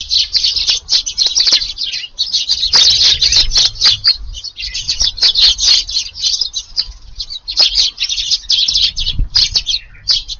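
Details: Crowded flock of wild Eurasian tree sparrows feeding at an evening meal in a garden in Japan on 6 July: dense, continuous high chirping from many birds, with scattered soft thumps and wing flutters.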